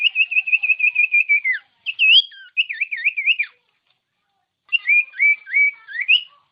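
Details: Common iora song for prompting a quiet iora to sing: a long level trill of rapid whistled notes dropping at the end, wavy warbled phrases, then a series of upslurred whistles.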